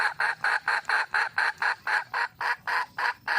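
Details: Rapid, rhythmic clucking from a wild junglefowl hen seeking a male, around thirteen harsh, even pulses in just over three seconds with no other sounds around them.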